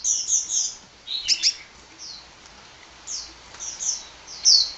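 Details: Hummingbird singing energetically: scattered high, thin chirps and quick down-slurred squeaks, a tight pair of sharp notes, then more twitters with a bright final squeak, over a soft hiss.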